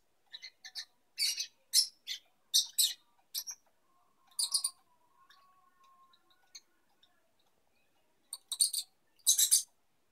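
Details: Young lovebirds during mating give high, rasping chirps in a quick irregular series, then a quiet stretch with a faint low whine before more sharp chirps.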